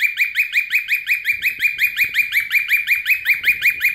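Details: Pet cockatiels giving rapid, repeated rising chirps, each with a bright, harmonic, slightly nasal tone.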